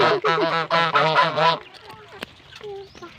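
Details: A goose, described as hungry, gives a quick run of five or six harsh, nasal honks over about a second and a half, then falls quiet apart from faint background sounds.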